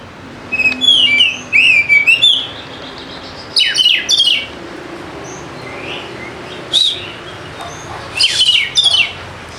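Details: Oriental magpie-robin (kacer) song used as a lure to set quiet birds singing: bursts of high, sweet whistles and sliding notes, then rapid buzzy chattering phrases separated by short pauses over faint background hiss.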